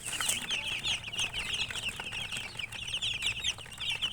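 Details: Many young chicks peeping steadily, rapid high-pitched chirps running on without a break over soft shuffling noise.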